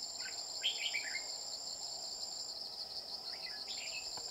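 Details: Red-whiskered bulbul, a bell-voiced male targeted with a decoy during trapping; a rapid, chattering phrase of descending notes, then a softer second phrase, with steady cricket-like trilling throughout.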